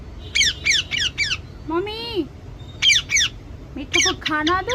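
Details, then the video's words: A pet parrot trying to talk, aiming for "mummy papa". Four rapid, high chirps, then a drawn-out, arching voice-like tone, more paired chirps, and finally a jumble of short chirps with low, word-like sounds. "Mithuu mummy papa bolneki try kar rehi he"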